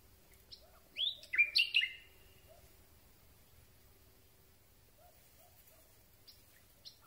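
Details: Night song of a Common Nightingale recorded close up on a boom microphone: one brief burst of sharp, chattering notes, followed by a long quiet pause with faint soft notes and a few distant high ticks.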